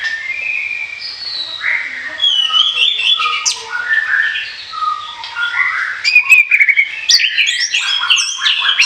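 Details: Chattering Orange-headed thrush song meant for luring birds, a long run of varied whistled notes, buzzy slurs and mimic-like phrases growing louder and busier toward the end.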